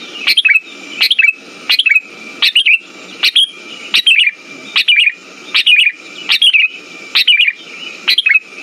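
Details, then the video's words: Lure recording of Sooty-headed bulbul song meant to stimulate birds that have stopped singing. Brief chirpy whistled phrases come in a regular run, roughly one every 0.7 seconds, with a constant faint high tone and soft low rumbling hiss beneath. "Pancingan burung kutilang macet"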